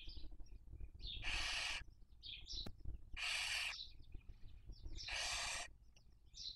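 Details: Barn owl on a nest webcam in Cabañeros National Park, Spain, 2023 breeding season, raising young. Three prolonged, rough hissing screeches about two seconds apart, each preceded by quick high chirps, over a low murmuring background.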